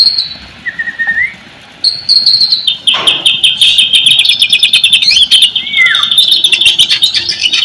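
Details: White-rumped shama song used as a lure to set silent, reluctant shamas singing: loud, varied high whistles, rapid rattling trills and sweeping slurred notes run together in a dense, continuous stream, after a short quiet opening with a few faint whistles.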